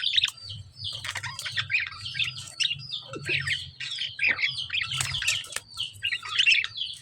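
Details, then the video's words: Harsh, squawky lovebird chirps tumble over one another in quick irregular bursts, shrill and scratchy, over a constant low background hum. "lovebird chirping sound"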